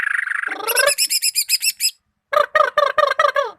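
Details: Song of a greater green leafbird from Malinau: a sustained buzzy note slides into quick, high, repeated slurred notes, then after a short pause comes a crisp run of about eight descending chip-like notes.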